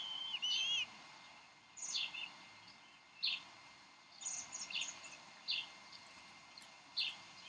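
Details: Bald eagle parents disputing a fish at their Decorah nest, 30 May 2012, before the female feeds the eaglet. Brief sharp high chirps every second or so, with one wavering squeal at the start, over background hiss.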